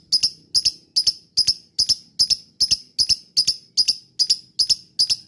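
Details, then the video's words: Lovebird lure call, meant to make other lovebirds answer and chatter: sharp, high, double-clicked chirps repeated steadily, about two or three each second, with a faint low hum underneath. "pancingan lovebird ini bikin semua burung lb diam langsung nyaut ikut ngekek"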